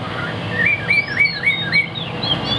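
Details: Chinese hwamei kept as a songbird, perched high: a short series of rising-and-falling whistled notes, about five in quick succession, with a low background hum.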